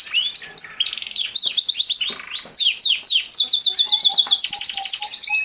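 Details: Singing canary with a continuous, high, busy song of rolling trills, quick downward slurs and buzzy, rattling passages, delivered almost without pause; a low steady tone sounds faintly near the end.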